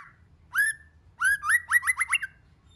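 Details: White-rumped shama song, in many voices, intended to stir other shamas. A single rich note, then an accelerating series of short arched notes tumbling together, over a soft low hum.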